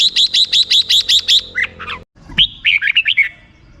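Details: Red-whiskered bulbul in 'rik' style: a rapid string of about nine identical high chips, a brief break, then a quick bouncing phrase of warbled notes.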